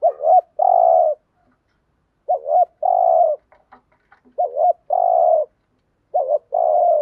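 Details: Spotted dove coo meant to draw in wild doves: four phrases roughly every two seconds, each a quick wavering double note then a long even coo, with faint clicks between.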